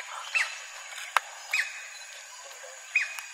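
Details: A White-bellied woodpecker in a large tree at the Rainforest Discovery Centre, Sepilok, Sandakan, Sabah, gives three sharp, high, slightly falling calls about every one and a half seconds, with a single dry click between them.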